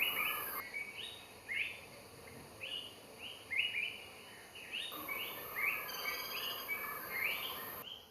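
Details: Greater flameback woodpecker calling: a busy run of short, sharp, slightly rising notes, clustered and uneven in spacing, over a steady hiss with bursts of high-pitched noise.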